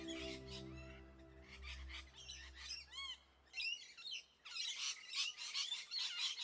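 Parrots give harsh, grating squawks and short arched chirps in quick bursts, with a steady low musical drone underneath during the first half.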